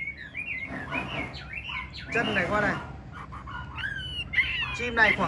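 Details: Caged Chinese hwamei of the large-bodied 'ngũ trường' form, singing while nodding in a lion-dance display: short warbled and slurred notes in bursts, with a man talking over parts.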